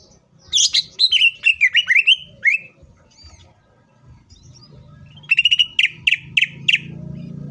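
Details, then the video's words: Green leafbird song used as a lure for other leafbirds: a loud tumbling run of varied whistles and slurred notes, a short pause, then regularly repeated sharp whistled notes over a rising background hiss. "CUCAK IJO FULL ISIAN PALING MEWAHH❗AMPUH BUAT PANCINGAN IJO AGAR CEPAT BUNYI DAN EMOSI!"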